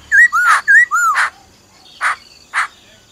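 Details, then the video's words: A black-throated laughingthrush sings forest-style: paired bright whistles curving up then down, each ending in a harsh rasp, then two separate raspy notes about half a second apart. "Khứu bạc má hót giọng rừng kèm theo tiếng mái ro ro"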